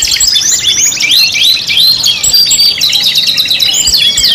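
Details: Canary singing in a five-in-one lure track of Indonesian kenari song: dense, high, rapid trills and rolls with looping upslurred whistles, continuous and overlapping throughout.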